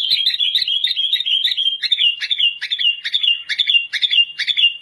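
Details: Gacor white-rumped shama, a master song for training, delivering a fast chattering run of rich warbled notes, about two per second, steady and loud throughout.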